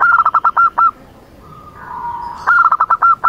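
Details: Zebra dove (local perkutut) in full song, a quick run of bright staccato notes, a pause with a soft sustained trill, then another run of clipped notes beginning.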